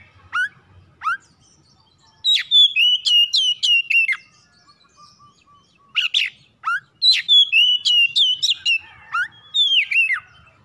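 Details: Oriental magpie-robin kept in a house, sung as a trigger for other magpie-robins morning, noon or night. Two short rising chips come first, then long rapid runs of ringing whistled notes with downward slurs.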